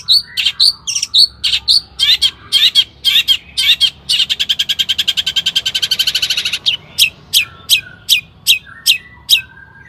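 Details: Long-tailed shrike singing 'gacor' style as a lure to rouse other shrikes: varied high chirps give way to a fast, even rattle of rapid notes for several seconds, then spaced sharp notes return.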